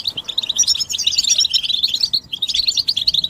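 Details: Goldfinch group twitter for stimulating males to sing: a fast, sparkling burst of high chirps and trills, a brief pause just after two seconds, then the twittering picks up again.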